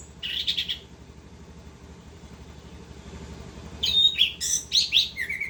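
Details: An orange-headed thrush singing continuously: a short buzzy trill at first, a quiet gap with low hum, then a lively tumble of high whistles, sharp chirps and falling notes.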